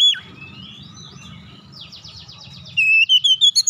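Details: Oriental magpie-robin giving a basic song in the tight rolling style, faint scratchy warbling at first, then a final second of loud, rapid, looping whistled notes, with a low hum underneath.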